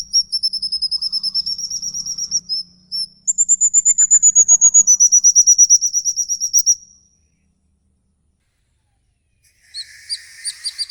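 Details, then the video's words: Songbirds in a continuous mix meant to prompt caged birds to sing: long rapid trains of high sharp chirps, a falling whistled run, then a pause and a thinner chattering series. "Pnacingan burung ngikik panjang 3 menit non stop"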